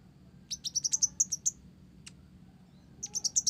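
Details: Actively singing olive-backed sunbird, Blorok type, filled with Java sparrow song: a hurried, uneven trill of high sharp notes, a lone click, then another quick rising run of piercing chirps.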